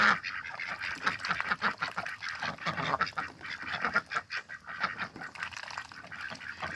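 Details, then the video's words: Six backyard domestic ducks in spring, mating and eating in the morning, quacking in a dense, continuous chatter of harsh, nasal notes, several birds calling over one another with hardly a pause. "집오리가 교미를 하네요"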